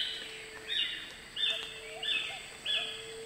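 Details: Noisy pitta (Pitta versicolor) in rainforest at Julatten, Queensland, giving its typical 'walk-to-work' song: clear, flat whistled notes about one every two-thirds of a second, over a steady low insect drone.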